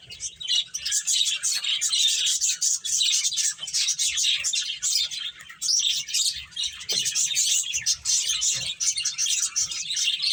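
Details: Playing finches fill the air with dense, continuous high chirping, quick overlapping tweets broken only by brief pauses.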